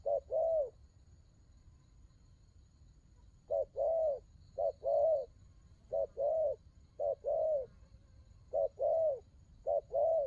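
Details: A spotted dove gives đồng gù coos. One low two-part phrase comes first, then a pause of about three seconds, then a steady run of about six more short-then-long mellow coos.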